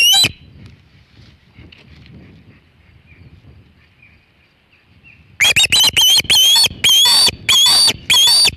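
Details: Osprey on the Hog Island nest holding a big shad, afternoon of 27 August 2019, about 3:50 pm EDT. After five seconds of quiet with faint distant chirps, a burst of loud, sharp whistled cheeps repeats quickly.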